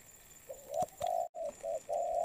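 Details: Spotted dove in molt, a fresh-caught bird, delivering a quick run of low coos. A short note, a long steady hoot, a brief note and another drawn-out coo follow closely with hardly a pause.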